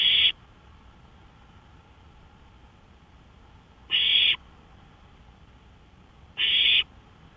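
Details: Porch at night, 5 May 2013, 1:53 AM; an owl delivers three separate breathy screeches, each under half a second, widely spaced by two to three seconds of near silence.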